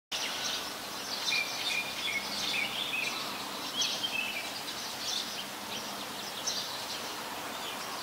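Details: Sooty-headed Bulbul, a very common resident, recorded in Ubon Ratchathani, Thailand, on 22 February 2021, giving bright, bubbly chirps and short whistled notes at a quick, uneven pace over busy high twittering and steady background hiss.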